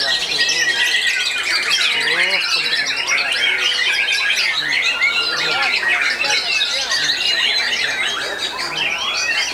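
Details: Contest of caged white-rumped shamas in Ngawi, Indonesia, the featured bird finishing second: a long unbroken stream of loud, rapidly changing whistled and buzzy phrases, several singers overlapping throughout.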